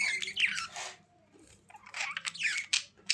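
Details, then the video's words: Soft budgerigar chatter of smeared squeaky notes and short up-and-down whistles, heard in two bursts separated by a quieter gap. "Budgies Sounds"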